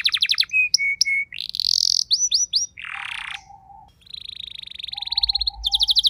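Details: House canary replying to another singer: varied phrase of trilled notes, short whistles, a harsh noisy segment, then a long even rolling trill.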